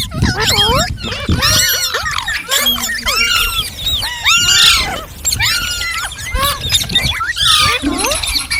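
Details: Green parrot chirping in bursts of hooked, squealing whistles, each cluster lasting about a second, separated by brief quieter gaps and some low background rumble.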